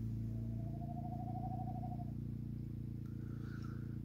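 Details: Tawny owl (Strix aluco) at night in woodland at Misson Carr, north Nottinghamshire, 19 September 2024, mild with light breeze in the treetops: a long, wavering mid-pitched hoot, then a brief higher call, over a low hum, part of a full repertoire including twit-twoo.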